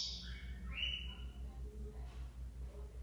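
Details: A captive double-collared seedeater, born in the region and just coming out of moult and returning to song, gives a quick run of high, bright whistled notes stepping down in pitch, then falls quiet over a steady low mechanical hum.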